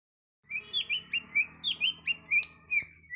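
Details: Tame greater green leafbird playing on a person's hand in Patek, Aceh Jaya, singing a lively run of clear whistled notes, each slurring upward, about a dozen in under three seconds, over a faint low hum.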